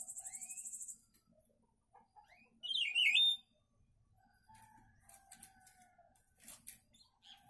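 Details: Papa-pimenta song from a friend's bird: a rapid buzzy high trill opens, then a loud twisting warbled phrase, then scattered thin chirps and soft notes over faint background tones.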